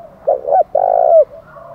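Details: One spotted dove phrase in the 'thổ đồng' style, given as a fight challenge: a low stuttered double hoot then a long even coo ending in a slight downturn, with faint cooing beyond.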